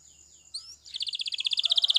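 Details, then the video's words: Spanish Timbrado canary song for training, beginning with a faint whistle and two slurred notes, then breaking into a rapid bell-like rattle that grows steadily louder, with faint background noise. "Canary Singing CHAMPION for Training / Spanish Timbrado Song"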